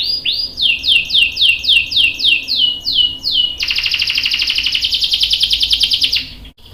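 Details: Canary, young male answering, singing a phrase of evenly spaced falling whistles, about three per second, that switches into a dense, rapid, buzzy trill lasting nearly three seconds before stopping abruptly.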